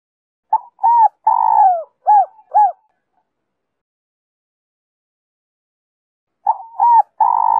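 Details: Giọng Kim 2 hậu song of a spotted dove, a lure for wild doves: a phrase of short arched coos around one long descending coo, a pause of several seconds, then the phrase begins again with a sustained coo.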